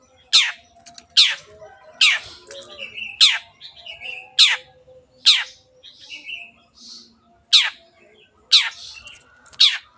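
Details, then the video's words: Energetic long-tailed shrike song for luring silent birds into singing: a steady series of harsh scratchy downward notes, about one every second, mixed with short buzzy and chattering phrases. "CENDET GACOR PANCINGAN MENGATASI BURUNG MACET ATAU BAHAN AGAR RAJIN BUNYI"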